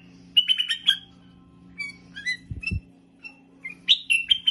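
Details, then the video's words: Bulbul producing bursts of clear, chirpy whistled notes, some quick and stuttering, others single and spaced, with two dull thuds midway and a constant low background hum. "بلبل فول"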